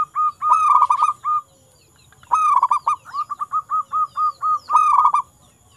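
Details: Local zebra dove singing steadily: a quick rippling burst of cooing notes, a short pause, then a phrase that starts with rapid notes and slows into evenly spaced hoots before another stuttering flurry.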